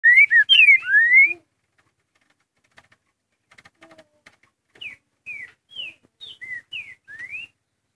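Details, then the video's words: Green-winged saltator singing the curricutil song type: a loud phrase of rich rising and falling whistles lasting just over a second, a pause with faint ticks, then a softer run of short slurred whistles ending in a rising note. "CURRICUTIL BOI"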